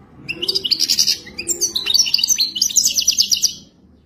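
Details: Authentic wadani song of a European goldfinch: a dense stream of sparkling high chirps, fast rattling trills and rising and falling slurs, sustained for over three seconds.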